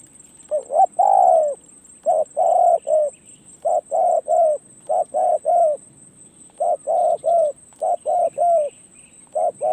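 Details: A decoy spotted dove coos rapidly and almost continuously, stringing short, even, mellow coo notes in pairs and threes with brief gaps. A shrill steady insect tone sounds in the background.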